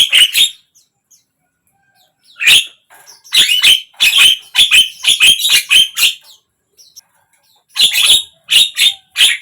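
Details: Javan myna song played to get a silent bird to sing: scratchy, harsh notes in dense quick runs separated by short silences, rhythm irregular and grating.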